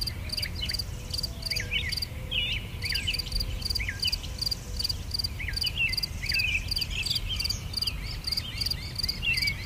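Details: Wild garden birds in England: sharp, repeated upward-flicked notes and twitters, plus some low soft whistles, set against a rapid, evenly spaced high chirping pulse.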